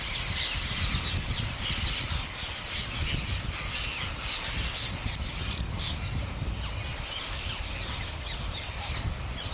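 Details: A huge flock of wild parrots, about 10,000, fed daily by a farmer in India, keeps up a dense, continuous wash of shrill screeches and chatter over a steady low rumble of wind or background noise.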